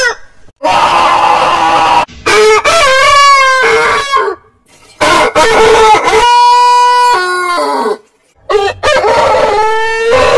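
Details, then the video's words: Several heritage-breed roosters crow in turn, each a harsh stuttering start stretching into a long, steady, ringing note, about four crows separated by short silences. "Rooster Crowing"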